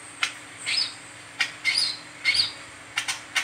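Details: Brown-throated sunbird performing the 'ngeriwik teler' song used as a training lure: slightly smeared, high chirps and sharp ticks alternating in quick, uneven succession for three and a half seconds, with a light background hiss.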